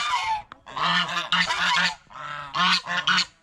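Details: A goose eating bread and fresh vegetables at a fish pond gives a quick run of harsh, nasal honks, several clustered together with brief pauses between bursts.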